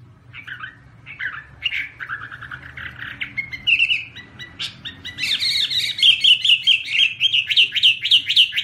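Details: Chinese hwamei (Garrulax canorus) singing while waving its wings: a varied run of whistled and slurred phrases, quiet at first, then loud rapid repeated notes toward the end.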